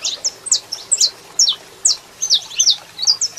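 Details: Saffron finch, a male singing while a female calls to fire him up: a lively run of sharp, high chirps and short downslurred notes, uneven spacing, about two per second, with faint background hiss.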